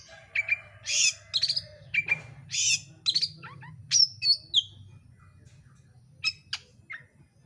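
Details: Oriental magpie-robin, called kacer, delivering a fast, packed, emotional lure song to provoke a bird to sing; harsh rasping bursts alternate with bright whistles and chirps, quieter scattered notes toward the end, steady low hum behind.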